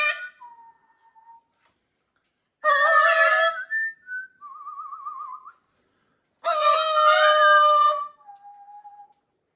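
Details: Macaw parrot flock at kitchen playtime, enjoying a change of environment: two long, loud, harsh, rasping screeches about four seconds apart, with quieter clear whistled notes and a wavering trill between them.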